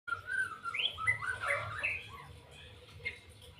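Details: White-rumped shama singing in the 'lepas trotol' style: a run of clear whistled phrases, sliding and warbling notes in the first two seconds, then softer scattered notes, over a steady low hum.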